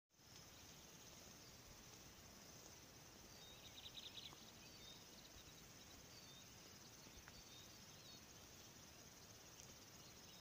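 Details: A river warbler (Locustella fluviatilis) at Kangasala, southern Finland, on 10 June 2018 sings a high, steady, insect-like buzzing song without a break, over a low background rumble and a few brief chirps from another bird.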